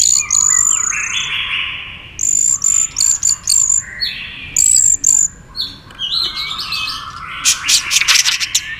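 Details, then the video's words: White-rumped shama in fighting song: high piercing whistles repeated in quick pulses, alternating with lower slurred whistles and a loud crackling, chattering flourish near the end. "kích chòe lửa hót đấu ức chế"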